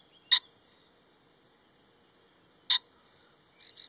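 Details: Male common pheasant uttering single sharp, explosive call notes about two and a half seconds apart, with a softer double note at the end and a persistent high insect trill throughout.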